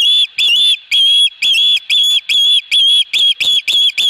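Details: Osprey calling at its nest while a fish is brought in, 22 August 2020. A rapid run of piercing, high whistled notes, each short and slightly wavering, about two per second without pause.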